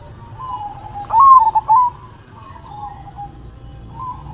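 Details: Zebra dove (perkutut) shaking its head as it sings: one short, loud phrase of broken, trilling coo notes, followed by soft, steady cooing in the background.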